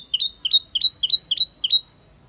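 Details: Wambi Mini bird lure call: six clean, bright double-noted chirps, evenly spaced about every third of a second, in otherwise quiet surroundings.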